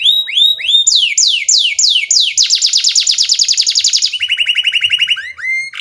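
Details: Long-duration canary song meant as a training lure for juvenile canaries, a continuous run of fast sweeping trills, shifting from rising whistles to dense rattling rolls and then steady repeated chirps, loud and unbroken.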